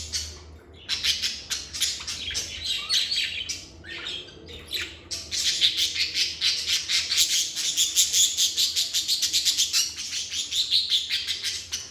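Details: Lovebirds in a calm environment burst into rapid, shrill chirping, starting with spaced squawks and building into a fast, continuous stream of high, pulsing chirps for the second half.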